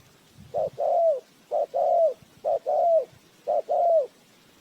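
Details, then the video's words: Spotted dove kept as a lure for bird trapping, repeating a clear paired coo four times at a steady one-per-second pace: a short hoot, then a longer mellow note falling at its end, over faint thumps. "Tiếng chim cu gáy mồi chuẩn gáy gọi cực hay"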